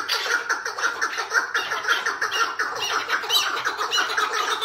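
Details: A captive, tethered partridge makes the hıngırma sound, a steady run of harsh, clucking syllables about two per second, with squawky overtones and a constant hiss behind.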